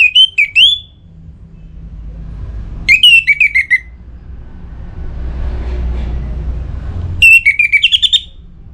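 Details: Orange-headed thrush kept caged in north Bali, in breeding condition, calling a rival: three loud phrases of clear whistled and stuttered notes, the second falling in steps, the last rising, separated by gaps with low rumbling noise.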